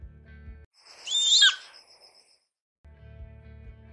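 A Bonelli's eagle gives a single brief, shrill, high-pitched call lasting about half a second, with soft background music before and after.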